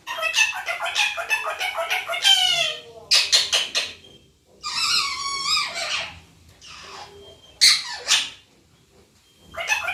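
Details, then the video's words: Talking parrot imitating "papa": fast run of clipped, scratchy syllables, then drawn-out wavering nasal phrases and a sharp high squeak, with brief pauses, recorded indoors. "Papa Bolne Wala parrot/Parrot Talking"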